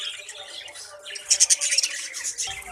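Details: Colony of breeding budgerigars, many young present; soft scratchy chatter builds into a burst of loud, harsh, rapid squawks and chirps from many birds at once.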